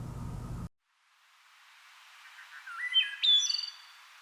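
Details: A wood thrush in Fauquier County during April spring migration, a species nesting in tall, shady woods, sings a fluty phrase of a few low notes, then rising, ringing whistles and a high trill; brief low noise precedes it.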